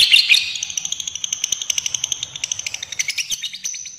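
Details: Fighter lovebird giving a long ngekek trill, used as a lure and tutor recording to prompt other lovebirds to sing: rapid, high, chattering notes in a fast, slightly uneven stream, with a louder burst at the start.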